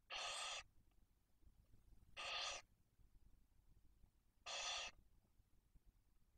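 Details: Nesting barn owls in Spain's Cabañeros National Park, a female brooding chicks aged one and four days: three rasping, noisy hisses, each about half a second long, repeated roughly every two seconds with soft rustling between.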